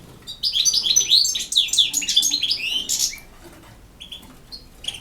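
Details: European goldfinch from Bosnia (BiH) singing campero song, a dense three-second run of fast, high, jangling twitters and buzzes, followed by a few scattered thin chirps.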